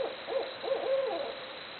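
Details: Barred owls calling: three or four quick mid-pitched hoots, the last one longer and gliding downward, over a light background hiss.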